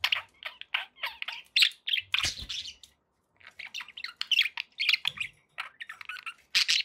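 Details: Happy pet budgies chattering: rapid bright chirps and rasping squawks in clusters, one loud harsh burst after two seconds, then a short silence before lively warbling resumes.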